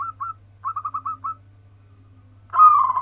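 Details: Local zebra dove singing from its perch in the warung kebek style: two short coos, then a quick run of five evenly spaced whistled notes, a pause, and a loud rolling trill, with a constant low electrical hum.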